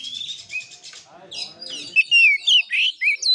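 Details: Kura-kura style fighting play by an oriental magpie-robin: a soft buzzy pulsing start, then loud clipped whistles repeated in quick succession.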